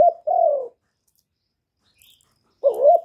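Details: A spotted dove, a caged decoy, gives a long falling hoot, pauses in silence for two seconds, then starts another wavering coo.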